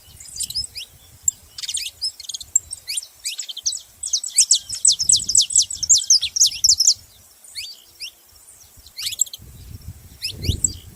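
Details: Saffron finches noisy together, overlapping high sharp chirps building into a dense chattering burst mid-way, then a pause and a few more tweets, with faint low rumble in the background.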